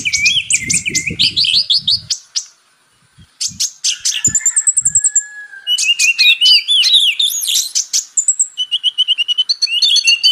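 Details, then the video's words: High, fast twittering song of the purple-throated sunbird (kolibri ninja), trilled whistles and chips with a short silent gap, and a few low thumps early on. "MATERI KACER X KONIN (Kolibri Ninja)"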